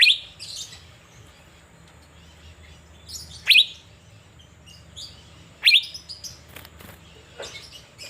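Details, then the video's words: In Banjarmasin, Indonesia, an Asian fairy-bluebird sings while sunbathing, giving sharp, high notes that drop steeply in pitch, repeated about every two to three seconds, with quiet chirps and a low hum between them. "Burung Cucak Biru Gacor saat dijemur, Banjarmasin"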